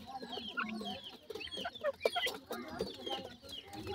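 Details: Feeding grey francolin chicks and family giving a muddled mix of low clucks and thin wavering peeps, fairly soft, with overlapping calls throughout.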